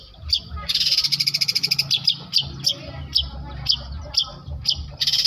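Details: South Malang long-tailed shrike, trained on master songs, copying lovebird and canary: a dense rattling trill of high notes, then spaced sharp chirps, closing with another buzzy trill burst; low hum behind.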